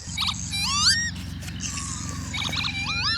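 Lapwing giving wheezy, upslurred 'pee-wit' whistles, two rising notes with short buzzy bursts in between, over a steady low rumble.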